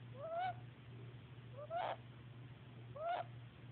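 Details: A baby woodpecker that fell from its nest, sleeping the night before going to animal rehab, makes a sad little noise: three rising, slurred notes, each ending in a harsh burst, about every second and a half, over a steady low hum.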